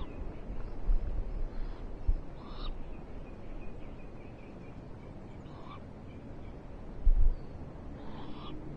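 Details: A rain-soaked Eurasian eagle-owl on a live owl camera, 21 March 2023, gives a few deep, low hoots spaced several seconds apart over a steady low rumble, with faint higher calls in the background.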